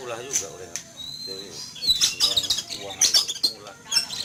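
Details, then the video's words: Caged Oriental magpie-robin set out in a yard in the morning, frightened and noisy after spotting an eagle flying overhead: bursts of high, sharp whistled and scratchy notes, mostly in the second half, with people talking at the start. "Kicau Burung Kacer Ketakutan Melihat Burung Elang Terbang"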